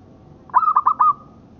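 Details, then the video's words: Local-strain zebra dove singing, recorded as a tutor recording: one short cooing phrase, a bright whistled opening note running into three quick stuttered, bubbling notes, over a quiet background. "Suara Perkutut Lokal Buat Masteran"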